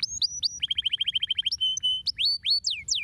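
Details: Canary singing to stimulate other birds: a few upward whistles, a rhythmic run of about a dozen identical short notes, flat steady tones, then loud downslurred sweeps.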